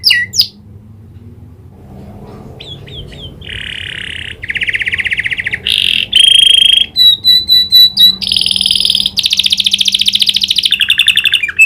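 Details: Canary singing, trained to imitate the clicking call of the prinia. After a quiet start, loud buzzy rolls and pulsed trills follow one after another without pause.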